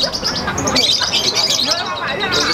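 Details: Lovebird of the Wesi Kuning type at the Piala Danyon Arhanud singing competition in Semarang, delivering the long chattering style called konslet: dense, shrill, high-pitched twittering running without pause, with crowd voices murmuring underneath.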